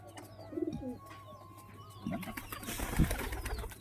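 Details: Pigeon cooing, with low, soft rounded coos near the start and again around the middle. Thin high chirps from other birds sound faintly behind, over a steady low hum and scattered clatter.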